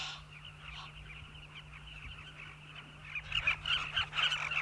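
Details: Southern carmine bee-eaters at a breeding colony in river banks, South Luangwa National Park, Zambia. Soft, distant chatter of many birds swells into a louder burst of overlapping rolling calls in the final second and a half.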